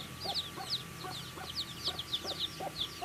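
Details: Baby chicks at their food, a steady chorus of high, short falling peeps from several birds, mixed with soft tapping of pecks and low background noise.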